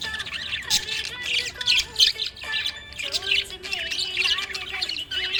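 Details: A cheerful budgerigar keeps up a busy chattering warble of high scratchy chirps and squeaks, broken by brief pauses, over a steady low humming tone in the background.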